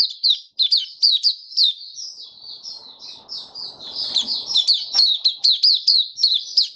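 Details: Kept white-eye singing openly, its diet adjusted for warm humid weather, 23 March 2022: a fast run of high, thin twittering notes, each a quick downward-slurred chirp, repeated more than twice a second with a brief pause midway.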